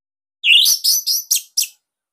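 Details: Captive Bali orange-headed thrush singing loud, tight notes used to train young or silent birds: a rising slurred whistle followed by four short harsh, descending notes in quick succession.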